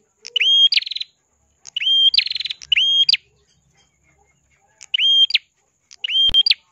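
Ashy prinia singing five short, high phrases, each a bright downslurred whistle running into a fast buzzy trill, repeated about once a second with brief pauses.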